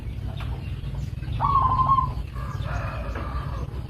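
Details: A local zebra dove utters a single short tonal coo that stutters into rapid beats, followed by fainter echoing notes over constant low background hum.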